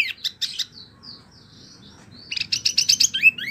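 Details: A mini wambie, a tutor bird for competition songbirds, gives a burst of chips and a soft whistle, a pause, then a rapid stuttering series of high buzzy notes ending in a rising squeak.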